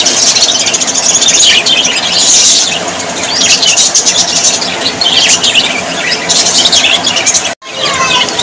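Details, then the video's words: Very happy budgies chatter in a crowd, with squeaky whistles and warbled chirps rising and falling in bursts, cut by a sudden short silence near the end. "Australian parrots voice ☺️ Parrots very happy"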